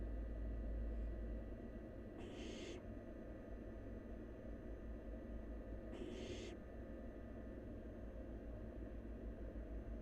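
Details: Wild barn owl nestling at a nest, feeding and swallowing half a rabbit in one gulp; two breathy, drawn-out hissing screeches about four seconds apart over a steady low hum.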